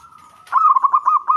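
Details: Local Javanese zebra dove singing to provoke a rival: a steady whistled lead-in, then a fast series of bubbling, pulsed coos on one pitch, loud and close against a quiet background.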